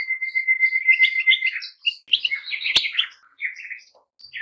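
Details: A steady thin whistle-like tone underlies rapid goldfinch twittering, broken by a sharp click midway, then sparse chirps fading out.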